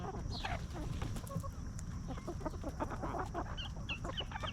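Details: Free-range hens scratching and feeding in a farm yard give soft low clucks mixed with brief higher squawks and chirps, irregular and overlapping, against constant low ambient rumble.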